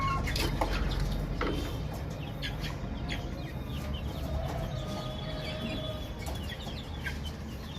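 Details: A flock of baby chicks chirping: rapid, irregular high peeps, about four per second, with a few longer thin notes and a steady low hum beneath.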